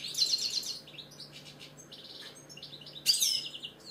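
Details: Caged British goldfinch delivering a quick phrase of bright twitters and buzzy trills, ending in a sharp upswept note and further chattering.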